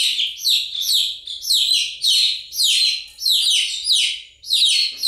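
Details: A group of chicks calling continuously, each peep a sharp high note sliding downward, delivered in clustered runs of three or four with short gaps between.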